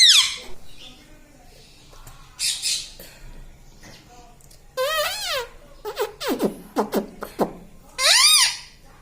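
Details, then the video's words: Talking parrot imitating words like "mitthu" and "mummy": scattered high, rising-and-falling voiced syllables, a burst of quick clipped notes, and a final bright phrase, indoors. "Talking parrot - mitthu mitthu - tota - Mummy Mummy - pattu Parrot Talking Mummy"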